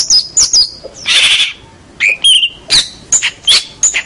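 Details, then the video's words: Champion local long-tailed shrike, recorded as master song: a mix of short whistled slurs, a harsh hissing burst and scattered sharp chips in irregular order. "Kicau Masteran Cendet Master Pentet Juara Cendet Lokal Oke"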